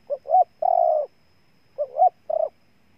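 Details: Ninh Thuận, Vietnam spotted dove cooing twice: paired short notes climbing into a longer coo, the second phrase ending in a briefer final note.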